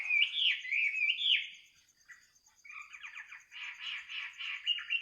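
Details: Midnight birdsong meant as gentle lulling listening: warbled whistled phrases, a short pause, then rapid scratchy repeated notes, with a constant high thin trill behind.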